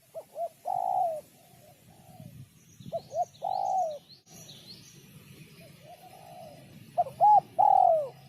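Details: Spotted dove cooing in the sấm chuông style, used to stimulate males, females and young birds: two short coos, then a long, slightly falling coo, repeated in three phrases with gaps. Faint high chirps from small birds behind.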